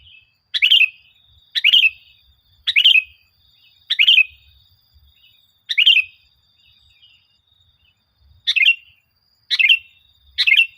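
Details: Sooty-headed bulbul, recorded as a lure to train caged birds to sing: eight short bubbly phrases of bright chirped notes, repeated about once a second, then with a longer gap, with a faint high steady tone behind.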